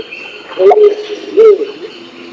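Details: Pinon's imperial pigeon in Nabire, Papua, used as a lure call for males and females, giving two low, hollow cooing notes about a second apart, each with a slight rise and fall, over faint background hiss.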